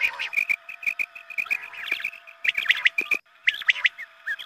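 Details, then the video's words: Quail lure calls for dawn prayer time: short, clear chirped notes repeated about once a second, then faster clustered twittering toward the end. "Batair mast awaz#Azaan ke waqt ke awaz#batair shekar#batair sound"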